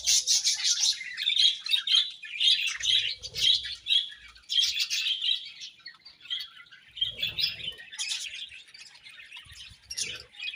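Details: Several budgerigars keep up nonstop chirping: squeaky, buzzy warbles in repeated bursts over ten seconds, loudest early and easing slightly toward the end, with occasional low knocks.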